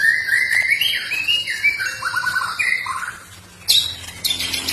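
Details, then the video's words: Lively trotol song of linked whistled phrases, rising and falling slurs that step gradually lower, followed after a short pause by bright scratchy high notes, with a constant thin high tone in the background. "trotol gacor mental preman"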